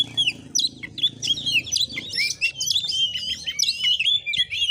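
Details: Combative Oriental magpie-robin at a home in Padang Gading village, Muko Muko, Indonesia; varied sweet whistles and sharp chattering phrases in quick runs, over noticeable low background rumble.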